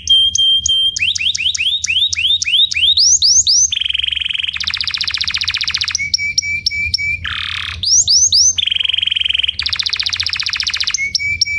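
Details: Tutor canary song for training young birds: long chains of rising whistled sweeps, dense rattling rolls and short steady whistled notes, alternating in quick succession without pause.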